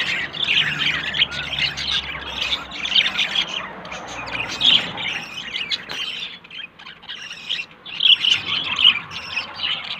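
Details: A budgerigar pair looking for a nest, male yellow and female blue, warble and chirp continuously in dense scratchy chatter that eases briefly around the middle before picking up again.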